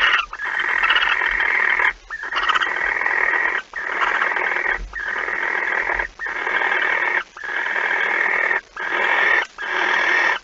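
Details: Barn owl at its nest before dawn on 26 August 2019, as the second mouse of the night is brought in: a long sequence of rasping, snoring hisses of one to two seconds each, repeated with short breaks.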